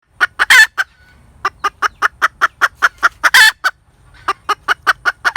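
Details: Hen cackling: a quick series of short, sharp clucks, about five a second, broken by two longer, harsh, drawn-out squawks. The clucking pauses briefly twice before starting again.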